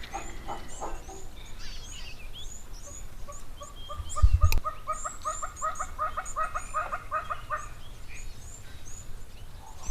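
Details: A hornbill calling at an African waterhole on 6 December 2025 gives a long run of hollow, clucking notes that quicken and build, over high chirps from smaller birds, a low wind rumble and one sharp knock.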